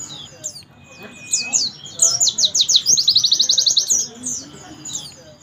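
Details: High-pitched song of a Javan white-eye from Pacitan, called pleci dakun: quick downslurred whistles build into a dense, fast trill of repeated needle-thin notes, with light twittering before and after.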